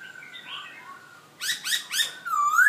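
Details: Black-throated laughingthrush kept in a cage in Hanoi, Vietnam: soft wavering whistles, then three loud, harsh, buzzy notes in quick succession, ending in a sharp upward-sweeping whistle.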